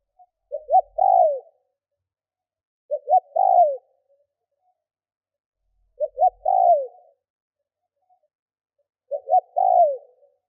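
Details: Spotted dove decoy giving provoking coos for wild birds: four phrases about three seconds apart, each with two or three quick rising notes before a drawn-out coo that slides downward.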